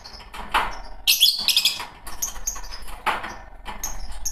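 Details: Green Fischer's lovebirds: shrill, rasping chirps in short bursts, with thin whistles, over a steady background of clicks and rustling.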